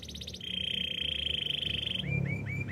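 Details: Canary song over low background noise: a brief fast-repeated high phrase, a long even mid-pitched roll, then three upward-curving whistled notes.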